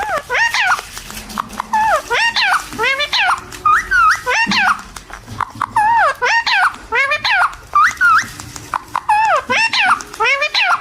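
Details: Parrot talking in Hindi: quick runs of high, nasal, sharply bending syllables delivered in speech-like bursts of one to two seconds, separated by short pauses, with little else in the background.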